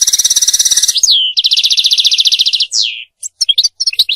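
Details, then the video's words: European goldfinch song, used for mating and for teaching goldfinches to sing: long buzzy rattling trills, a short one and then a longer one, linked by slurred downward notes and followed by scattered high chips. "مجموعة اصوات لطائر الحسون ل التزاوج و تعليم الحسون التغريد"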